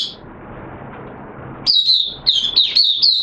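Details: Caged oriental white-eye kept as a hobby bird, recorded in wet weather during a 'buka sing' opening-song session; after about a second and a half of low background hiss, high thin warbled twittering notes start in quick bursts.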